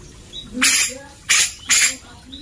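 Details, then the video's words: Grey-cheeked bulbul singing actively, recorded as training material for white-rumped shamas: three loud, harsh, rasping bursts spaced about half a second apart, with faint low background hum. "Suara cucak jenggot gacor buat masteran murai batu"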